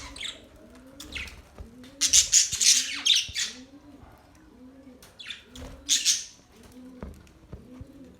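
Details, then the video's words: Budgerigars chirping in scattered bursts of high, scratchy warbling chatter, loudest in the middle and near the end, over a soft, low rhythmic rumble that repeats about twice a second. "Budgies bird chirping sound"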